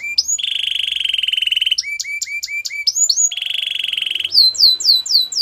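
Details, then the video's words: Canary singing a long low rolling trill, then sharp stepped notes, a second rolled trill, and finally rising looped whistles repeated about three per second; faint background hum. "All the canaries will sing along after hearing this canary chirp"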